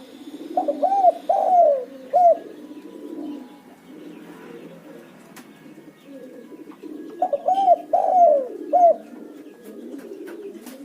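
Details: Spotted dove lure call used to set other doves calling: two bursts of loud, hollow, arched cooing phrases of four or five notes, with softer, lower, evenly repeated coos continuing underneath between bursts.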